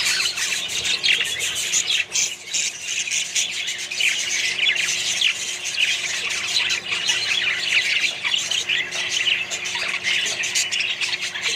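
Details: Budgerigars and other birds in a colony create a dense, unbroken roar of overlapping squawks and chirps, with barely any pause except a brief dip near the start.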